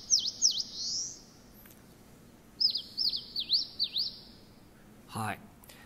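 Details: Eastern Crowned Warbler song, a summer visitor to deciduous broadleaf forest, rendered as 'shochu ippai gui': two bursts of high, thin, sharply swooping notes, the second a run of five quick buzzy slurs ending in a drawn-out buzz; a brief low thump follows.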